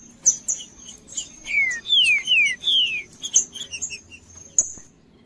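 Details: Green-winged saltator song played to warm up a cold trinca-ferro: four loud whistles descending in pitch, delivered about two per second, surrounded by sharp high chirps and clicks.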